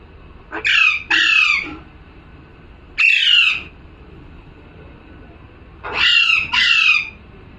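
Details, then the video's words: Calling parrot: a close pair of harsh screeches, a single squawk after a pause, then another pair, all raspy and shrill with slightly falling tails. "parrot🦜🦜🥰 #calling sound"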